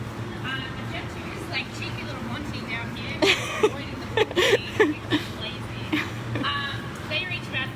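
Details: Captive king penguins at an aquarium vocalizing to communicate with each other, each with its own voice: loud, brassy, warbling trumpet calls in quick bursts over a steady low hum and human talking.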